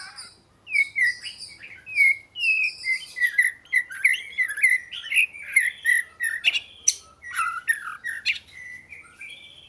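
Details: Oriental magpie-robin producing a flowing chain of down-slurred whistled notes, about two each second, broken by sharp scratchy chips.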